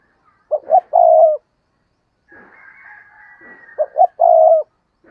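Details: Decoy spotted dove cooing to lure other doves: two clipped low notes then a sustained coo, repeated twice, with a faint higher drawn whistle-like tone between phrases.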